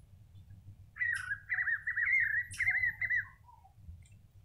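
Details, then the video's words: Spot-backed Puffbird singing a run of wavering whistled notes, quickly repeated over about two seconds, over a low background hum. "Rapazinho dos velhos | Torovô ave – canto original"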